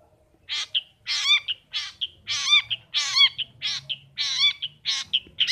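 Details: Pet long-tailed shrike (pentet or cendet) in gacor voice: continuous nasal, rasping notes alternating with short squeaky ones, steady and rhythmic throughout.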